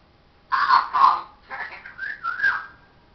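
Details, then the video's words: Parrot mimicking speech indoors: two loud raspy syllables, then softer voiced phrases sliding into a wavering whistled tone. "parrots says hello darling show us your"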